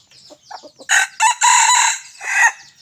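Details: Red junglefowl decoy rooster, a little over one year old, crowing during a forest outing on 5 January 2024. A loud, harsh, drawn-out crow in several segments, the last one rising, is preceded by faint chirps of small birds.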